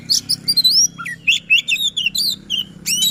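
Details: Sisinga-style white-rumped shama in a cage, pouring out quick rising and falling whistled notes and trills in a continuous rolling song, with low hum behind.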